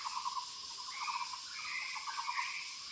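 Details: Muller's barbet in the woods, with quick rattly bursts of pulsed notes in a brief series, set against a dense insect drone and a thin higher whistle.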